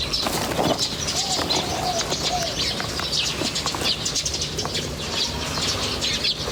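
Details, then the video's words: Wild birds chirping outdoors: a dense chorus of rapid, high twittering notes overlapping continuously, with a few lower, soft arched whistles beneath and a steady low background hum. "The chirping of birds in nature is very relaxing"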